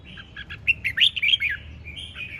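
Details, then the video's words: One lively ché chẻ phrase from a red-whiskered bulbul: quick whistled notes build into loud bouncing, slurred warbles, then trail off into a thin, softer sustained note, with faint hum beneath. "Hót Cực Sung ( Ché Chẻ Cực Đỉnh)"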